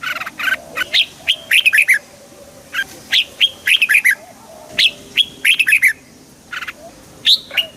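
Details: Red-whiskered bulbul song for making the bird lively: repeated bursts of clear, rolling whistled phrases with swooping and quavering notes, several phrases in quick succession with short pauses, over a quiet background.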